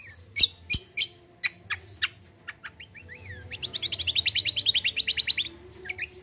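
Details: Common iora in full song: a few isolated sharp chips and short upslurred whistles, then a rapid, steady trill of bright repeated notes lasting about two seconds, with a soft low background hum.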